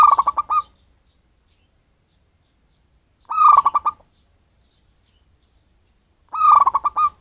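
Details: Local wild-origin zebra dove, not captive-bred, whose call serves as a lure for birds: three phrases of a rapid run of hollow, pulsed coos about every three seconds, separated by silence.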